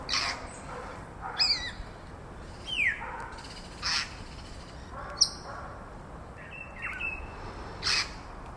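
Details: Grey Parrots calling in urban Accra, Ghana, possibly escaped birds: a varied mix of short harsh squawks and quick downward-slurred whistles, spaced irregularly every second or so, over faint background noise.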